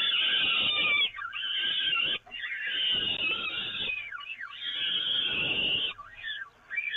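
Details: Peregrine falcons at the Evoluon nest, feeding on the grating, 13 May 2018: long, harsh, drawn-out wailing notes of a few seconds each, separated by short gaps, with a faint rustling underneath.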